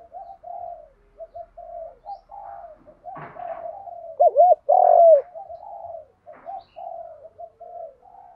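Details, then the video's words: Lure coo of a spotted dove in the đồng gù vấy thúc style for training wild and decoy birds. A long run of soft, low hooting notes builds to a quavering doubled note and one strong sustained coo, then soft notes again. "cu gáy giọng đồng gù vấy thúc cực căng"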